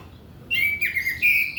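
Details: Orange-headed thrush song meant as a lure for untrained young males: after a short quiet start, clear whistled notes slide downward, then a higher sustained whistle follows, with brief buzzy overtones.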